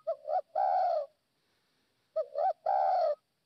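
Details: Decoy spotted dove from Tây Bắc, good standard voice, delivers two matching phrases about two seconds apart, each a rising two-part coo followed by a longer rough, purring coo, with quiet in between.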